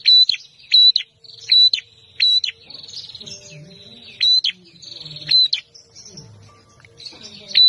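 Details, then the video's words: Fighting bar-winged prinia (prenjak) in aggressive, emotional song: a rapid series of high clipped whistles with sharp downward flicks, with buzzy trilled passages in between and faint low background hum and voices. "Prenjak Petarung Gacor Emosian"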